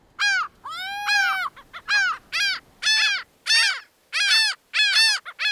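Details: Laughing gull calling: loud, nasal, harmonic-rich notes, some long and arched, others short and paired, given in an irregular laughing series of about ten notes with brief gaps.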